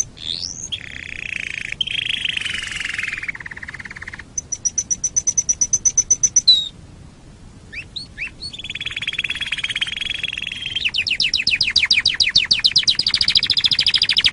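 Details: Master canary song meant for teaching other birds: rising whistles, lower rolling trills, a high rapid pulsed trill, and a long buzzy trill at the end, separated by short pauses.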